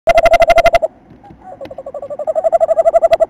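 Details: Male tawny owl visiting a nest site on 27 December with the female outside the entrance. He gives a rapid, mid-pitched trill of about ten clipped notes a second, then a brief pause and a second trilling run.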